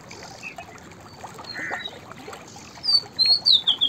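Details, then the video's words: White-browed fantail giving one short burst of high whistled notes near the end, preceded by faint, indistinct chirps against a steady hiss. "White Browed Fantail Singing Songs / white-browed fantail vocals / chirping"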